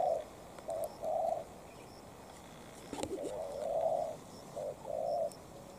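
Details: Short-tailed decoy spotted dove challenging a wild rival, uttering low throaty coo phrases with gaps between them; one sharp click sounds midway.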